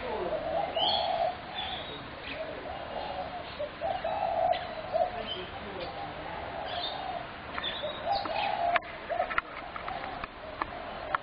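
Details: Spotted dove, 21 January 2017, calling noisily: repeated low hollow coos run through the recording, mixed with sharp high chirps and clicks from other small birds.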